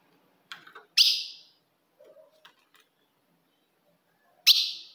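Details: Ultramarine grosbeak female call used to provoke a male: a single loud, sharp chip near the start and another near the end, separated by near silence with a few soft ticks.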